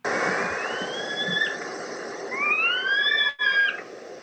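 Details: Two Western Screech-Owls in the San Gabriel Mountains, California, responding to playback: drawn-out, slightly rising whistled wails with harmonics, one long wail then two overlapping, over steady background hiss.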